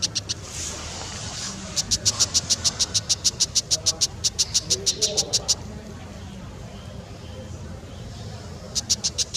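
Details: Brown Shrike delivering a long, fast run of about twenty harsh, dry chak notes, steady and machine-gun-like, then a pause and a brief renewed burst at the end over low background noise.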